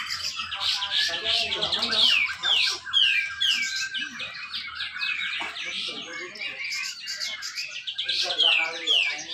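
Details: Dense 'besetan rapet' song from a caged grey-cheeked bulbul at a North Kalimantan bird contest: fast chains of descending whistles and chirps over about nine seconds, other birds and low hum behind.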